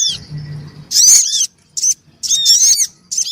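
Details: Noisy black-winged cuckooshrike calls, female and male, used to lure small wild birds; piercing high arched notes in chattering bursts, a short quiet spell, then further bursts, with a low hum at the start.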